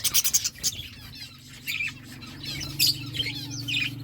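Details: Parakeet chirping while eating fruit: short high chirps in quick bursts at the start, then scattered squeaky notes over a steady low hum.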